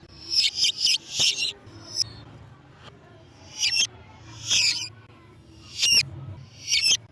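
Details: Lovebird chatter used to attract lovebirds: a rapid cluster of shrill chirps at the start, then spaced harsh, buzzy squeaks every second or so, with a soft low hum.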